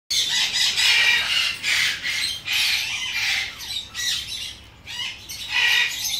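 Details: A captive-bred female Ducorps's cockatoo (Cacatua ducorpsii), parent-raised, with harsh, raspy screeches in broad noisy bursts, about one every second, several overlapping, with no other clear sounds.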